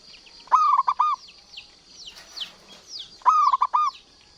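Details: Local perkutut (zebra dove) cooing steadily: two rich, vibrating phrases of three or four trilled notes, separated by a pause full of high, sliding whistles from nearby birds.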